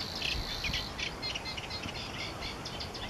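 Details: Savi's warbler (Locustella luscinioides) reeling at Głębokie on 1 July 2015: a fast, dry, insect-like buzz held at a high pitch without pause, over a low background rumble.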